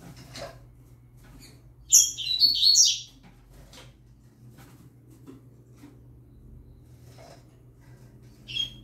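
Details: Young yellow-bellied seedeater, singing alongside a green-winged saltator, gives one rapid high warbled phrase of about a second of twittering, sliding notes. Faint clicks and low indoor hum fill the rest.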